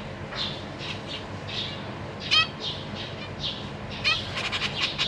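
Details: Captive zebra finches on 14 April 2023, parents caring for three juveniles and three just-fledged babies. Soft nasal chirps, a sharp harmonic squeak midway, then a fast stuttering cluster of calls near the end.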